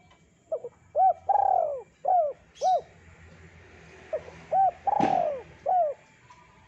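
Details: Spotted dove's thick, full song used as a lure for birds: a phrase of quick soft notes, arched coos and a long falling coo, given twice, with a sharp click near the end and low hum.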